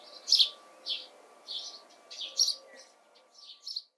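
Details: House sparrow (Passer domesticus) recorded in June 2020, giving a series of seven short, bright chirps spaced about half a second apart, some doubled, over a faint steady low hum.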